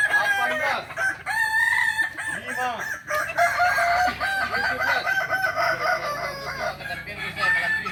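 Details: A chorus of Kukuak Balenggek roosters at a practice contest in Ampang Kualo, Solok, May 2024; repeated arched, stepped crows overlap continuously, with a brief pause near the middle and faint voices behind.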